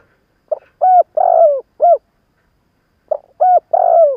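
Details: Experienced decoy spotted dove cooing to lure rival birds; one full phrase of a short note, a coo, a long falling coo and a brief last coo, then the start of a second phrase, in quiet surroundings.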